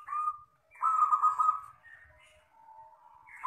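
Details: Local wild zebra dove in the long 'kristal' song style. A short coo comes first, then a longer, loud, rolling purr. Softer level tones follow, and another coo starts at the end.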